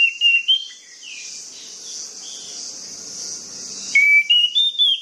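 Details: Orange-headed thrush song played to trigger sluggish birds to sing: clear whistled phrases rising and falling at the start, a quieter noisy middle stretch, then a burst of bright rising whistles near the end.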